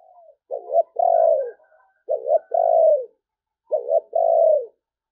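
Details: Spotted dove cooing in the "sấm bầu" song style: three repeated phrases, each a short double-noted coo followed by a longer, slightly descending drawn-out coo, about one and a half seconds apart, in a quiet setting.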